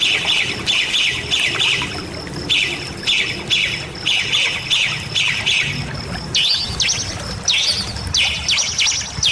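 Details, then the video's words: Bali myna in song, a calling bird used as a training and lure sound: harsh, squawky bursts mixed with chattering phrases, repeated about every half second, with a thin steady high whistle running through. "Suara Jalak Bali Gacor Isian"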